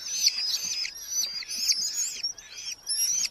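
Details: Red-footed falcon chicks in a nest box within a large breeding colony in Hungary, July 2025, parents bringing beetles; thin high squealing calls in overlapping drawn-out bursts, several birds calling together with short gaps.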